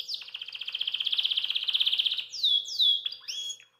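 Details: Caged Belgian canary singing after eating kale: a long, rapid pulsing trill lasting about two seconds, followed by loud clear whistled downward sweeps and a brief chirping flourish, with no other sounds.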